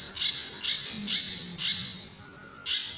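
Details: Sunda bush warbler master song for training other birds, tembakan and besetan style: five loud, harsh high bursts, spaced unevenly about half a second apart, with a faint low hum underneath.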